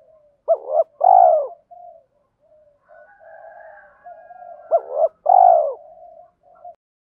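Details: Spotted dove used as a decoy, male and female, cooing to stir wild birds into fighting. Two clipped notes and a long full coo come twice, with soft murmured cooing between phrases.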